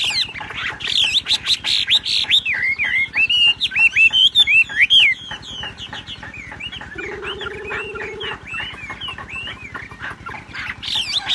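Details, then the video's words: Wambi in ngebrem gacor form: loud, busy sequence of bent and sliding whistles that softens midway into scattered quieter notes, accompanied by a steady low tone for a second. "BURUNG WAMBI NGEBREM GACOR."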